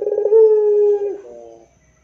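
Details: Single rintihan coo of a puter pelung dove: a fluttering, pulsed onset, then a long even low tone about a second long, trailing into a brief softer lower phrase before silence.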